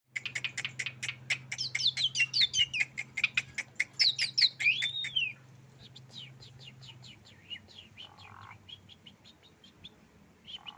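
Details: A tame Asian pied starling singing energetically: rapid repeated sharp clicking notes mixed with looping whistled phrases, slowing into softer scattered chips after about five seconds, with a steady low hum in the background.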